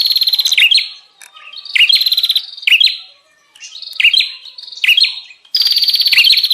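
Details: Bar-winged prinia lure call for attracting wild birds, harsh buzzy trills and quick chirps in short separated bursts, with a longer quiet stretch around three seconds and a strong final burst.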